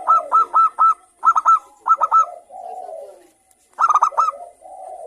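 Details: Local zebra doves calling noisily in reply to one another, a lure to trigger singing: rapid series of bright, rolling coo notes in four bursts, interleaved with low, soft, warbling coos.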